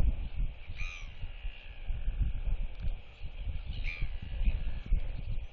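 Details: Royal albatross chick NTF, a young female, displays and whistles to neighbouring chicks, which clack at her, on 8 July 2023: two brief, harmonic whistled calls about three seconds apart, almost buried under heavy, gusty wind rumble.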